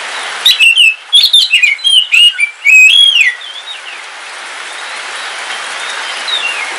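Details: Kalimantan black oriental magpie-robin, kept as a house bird, singing while it rains: a quick run of varied whistled and chirped phrases for about three seconds, then a steady soft hiss of rain with a faint distant whistle.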